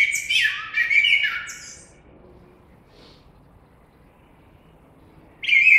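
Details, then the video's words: Common blackbird song: a rich whistled warble with scratchy high notes, a long silent gap, then the next phrase beginning. "Κότσυφας. Blackbird Song & Calls"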